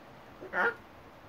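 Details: A pet hyacinth macaw, out on a balcony and trying to say his name and other words, gives one short, speech-like utterance, a brief voiced word with a nasal, throaty quality, in a quiet setting.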